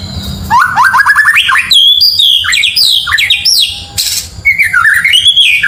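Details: White-rumped shama song meant to agitate neighbouring birds: rapid runs of ascending whistled notes, varied slurred phrases and a sharp burst of noise, sung loudly and without pause.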